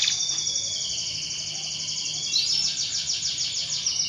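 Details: Canary song played to prompt other canaries to sing: a sustained high rolling trill running unbroken, shifting pitch midway, over steady background hiss.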